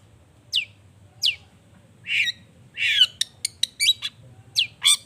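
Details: Vigorously singing long-tailed shrike, used as a lure to provoke other shrikes into replying; thin downslurred whistles give way to rasping bursts and sharp clicking notes.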